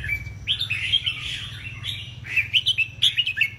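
A red-whiskered bulbul sings bright, liquid warbled phrases of quick chirpy notes, rising and falling at a middling pitch, over a faint low hum.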